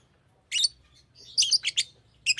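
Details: Pet Fischer's lovebird uttering a shrill squeaky chirp, then a quick cluster of three or four rasping high notes and another sharp chirp, over a soft low hum.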